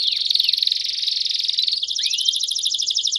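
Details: Belgian canaries singing as a group: a sustained rapid high trill with two downward-curving whistles. It then shifts to a brighter, pulsed roll.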